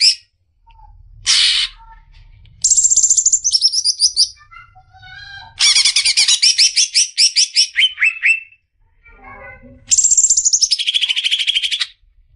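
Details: Greater green leafbird song used to stimulate beginner leafbirds: loud, rich rapid rattling trills, sweet whistled phrases and buzzy chatter in bursts, high-pitched and varied, with brief pauses.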